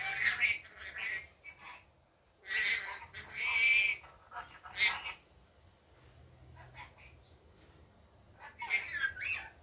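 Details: Rainbow lorikeet kept as a pet, calling in daytime: harsh, broadband screeches in short bursts, a pair near the start, a long double burst around three seconds and another at the end, with quiet gaps between.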